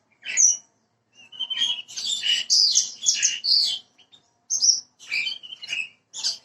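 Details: Bushlark (branjangan) song used as a prompting recording to get a bird singing quickly: bursts of varied high chirps, buzzy notes and short whistled slurs, separated by brief pauses.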